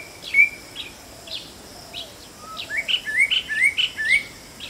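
White-bellied drongo giving bright, sharp chirps and short whistled notes, starting sparse and then quickening into a run of rising, metallic phrases.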